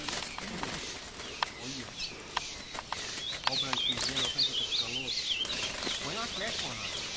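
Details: Captive Ultramarine grosbeak challenging a wild bird in woodland at Passos, Minas Gerais, Brazil: high sweet warbled phrase of undulating whistles midway, with men talking in Portuguese and clicking noises throughout.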